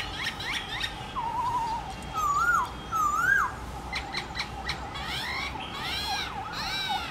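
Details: Trained black-throated laughingthrush, morning forest-style song; wavering whistled phrases and sharp downslurred notes over steady background hiss.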